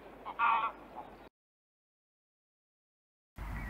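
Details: Male mallard from Central Russia gives a single short, raspy nasal note, then silence; a brief burst of noise follows at the end.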